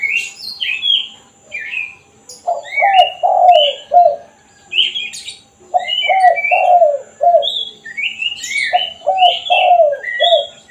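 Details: Spotted dove repeating its kuk satu style call, used to draw in wild doves: three bouts of four or five low, rounded coos, while small birds chirp and twitter busily at a higher pitch throughout.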